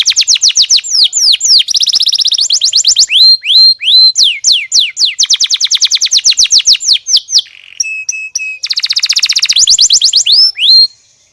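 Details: A canary sings a long, varied song of rapid trills, rolling repeated syllables and clear descending whistles, with one short break near the end.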